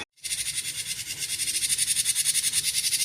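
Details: Cinereous tit singing gacor konslet: after a moment of silence, a dense, rasping series of quick high pulses begins and keeps up a steady, insistent rhythm.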